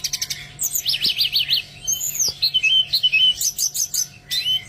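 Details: Oriental magpie-robin song played to coax reluctant birds into singing: a varied run of clear whistled notes, rapid rising trills and sharp chirps, with a quick series of repeated upward notes early on and a low steady hum beneath.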